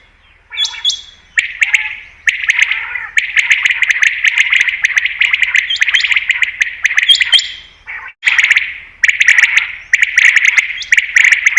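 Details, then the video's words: Common quail (batair) sound used in hunting: long sequences of rapid, sharp, echoing notes running almost continuously, with brief gaps and a few high whistled tones early on. "Batair Ki Best Awaz , Batair Sound , Common Quail New Sound For Hunting 2022"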